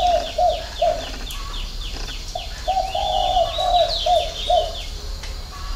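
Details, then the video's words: Spotted dove cooing in the six-note 'hậu 3' style. Short low hoots lead into a longer run of mellow notes. Quick high chirps from other birds sound steadily in the background. "chim cu gáy 6 tiếng ( hậu 3)"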